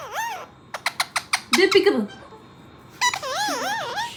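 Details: Pet parrots saying peekaboo in their own way; a rapid series of short clicks, a wavy warbled tone, then a longer undulating whistled phrase rising and falling repeatedly.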